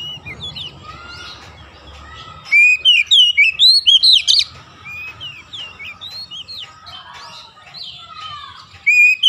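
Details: Kacer, the Oriental magpie-robin, in chattering song meant to rouse silent birds: quiet twittering and low background hum, then a loud sequence of sharp rising and falling whistles repeated rapidly, fading to softer notes before another strong whistled burst.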